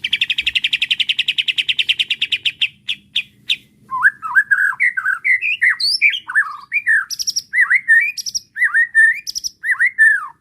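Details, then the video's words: White-rumped shama, agitated by a bait recording, answering at once and showing off its fill-in repertoire: a fast, even rattling trill of about two and a half seconds, a few spaced notes, then varied whistled slurs and high, sharp, squeaky notes. "PANCINGAN JAHAT MURAI BATU EMOSI BIKIN LANGSUNG NYAUT DAN BONGKAR ISIAN DENGAR SUARA INI"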